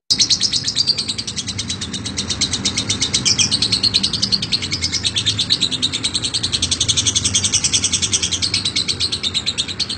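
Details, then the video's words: Champion lovebird in long ngekek chatter: an unbroken stream of fast, high, buzzy repeated notes lasting the whole stretch, over a constant low hum. "LOVE BIRD CEREWET NGEKEK PANJANG"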